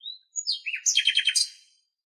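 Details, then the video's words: Common nightingale in Greece sings a short high whistle, a pause, then a sweeping phrase into a quick run of throaty repeated notes that fades away. "Αηδόνι Κελάηδημα - Nightingale singing"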